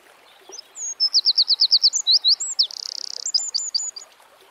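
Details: Singing Eurasian wren outdoors delivering a long vigorous phrase of fast repeated high notes, looping whistles, a mechanical rattling trill and a final run of sharp whistled notes.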